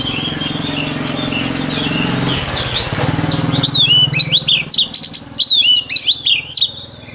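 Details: Shama training recording of a white-rumped shama: a noisy low rumble at first, then a run of quick, repeated down-slurred whistled notes, several per second, loud and rhythmic.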